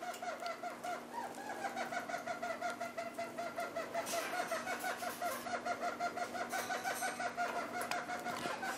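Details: A pair of red-crowned parakeets feeding on half-ripe willow seeds gives soft, rapid chattering notes, about three per second, each with a steady mid-pitched tone, plus a few brief scratchy rustles over a faint background hum.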